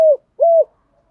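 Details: Female spotted dove used as a lure to call in males, giving two low, steady cooing notes, the second longer, set against silence.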